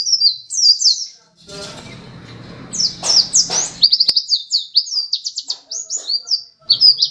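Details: Runner-up contest pleci dakun white-eye in spirited song: high sliding chirps, interrupted by about two seconds of loud rustling and clattering, then a fast, dense run of twittering notes, a short gap, and more chirps.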